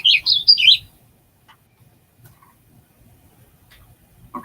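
A Warbling Vireo gives a quick, high, rolling warble lasting under a second. Then comes near silence with a faint low hum and a short sound at the end.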